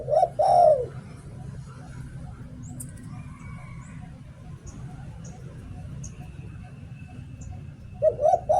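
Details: Spotted dove kept as a decoy bird in Thailand, "หลิ่วตัน" song style: one soft, low cooing phrase of short notes ending in a longer falling coo, then a long quiet stretch with faint hum before another phrase begins.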